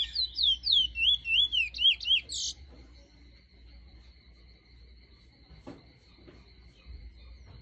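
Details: A large-billed seed finch (Trinidad bullfinch) used as a song tutor gives a quick run of about eight clear, swooping whistles in two and a half seconds, followed by a steady high electronic whine.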